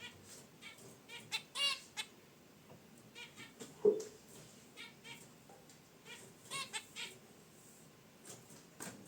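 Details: Zebra finches kept in a cage, resting near their wicker basket nest, utter spaced nasal honks and chirps, with one sharp click around the middle and faint rustling.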